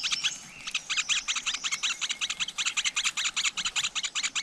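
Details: Wild flowerpecker nest with a brood of chicks seen close: quick, evenly pulsing high chips in a steady run, each a short bright burst, after a thin whistled opening.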